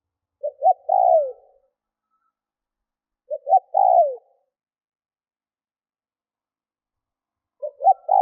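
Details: Decoy spotted dove coos steadily to provoke wild birds: three phrases, each with two quick notes and a long falling coo. Phrases are spaced about three seconds apart, with no other sounds.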